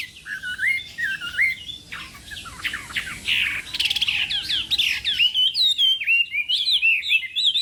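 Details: Chinese hwamei in morning contest singing for voice training: fluty, wavering whistles, then a stretch of scratchy, buzzy chatter, ending in loud repeated whistled phrases.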